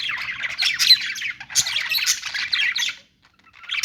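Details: Busy budgie warbling: rapid scratchy chirps and squeaks run together for three seconds, then a short pause before the chatter starts again.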